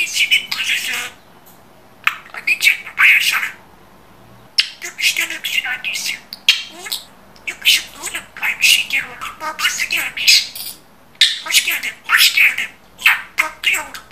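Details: Budgerigar mimicking human speech with clear phrasing: clusters of hoarse, high-pitched syllables with gaps of about a second between phrases over roughly fourteen seconds, in a quiet room.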